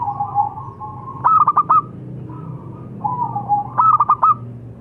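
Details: A local zebra dove gives a soft, wavering coo that runs into a quick cluster of four or five sharp notes. The pattern then repeats once over a low hum.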